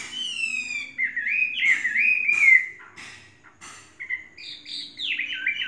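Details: Chinese hwamei, a trained caged bird of three seasons, opening with a long clear whistle, then a string of looping slurred notes, a pause with soft sounds, and a rising burst of sharper phrases.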